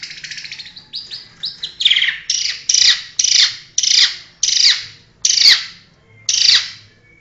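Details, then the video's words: Champion long-tailed shrike uttering a string of loud, harsh squawking notes, starting with short rapid figures then settling into spaced rasping calls about every half second. "Cendet Juara Nasional Burung Cendet Sering Juara"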